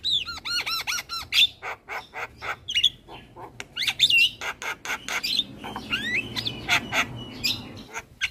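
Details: Champion Javan myna song used as a master recording for training other birds: looping whistled notes near the top register interleaved with dry clicking chacks, varied and continuous, with a softer rasping passage late on.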